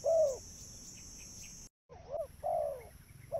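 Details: Spotted dove recording used to lure birds: one loud low cooing note, then after a brief silence a few softer, fainter coos over a steady high electronic hum.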